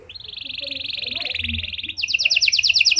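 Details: Panda canary in 'cengkok mewah' song style, for luring and training other canaries: a long, even buzzy trill rising slightly in volume, switching to a sharper, faster pulsed rattle; faint low background murmur.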